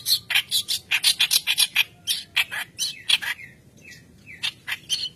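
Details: White-browed reed warbler in full song, used as a lure to train other birds. Dense rapid harsh chattering notes, a short break with rising and falling slurred notes, then more scratchy bursts over a faint hum.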